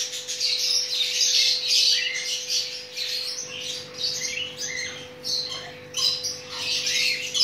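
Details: Chattering lory during mating, giving a run of broken, scratchy squawks and chatters in uneven short bursts with a few gaps, over a low steady hum.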